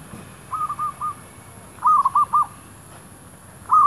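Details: Decoy zebra dove near shops cooing in quick bubbling phrases, a short three-note series followed by a fuller five-note phrase and the start of another.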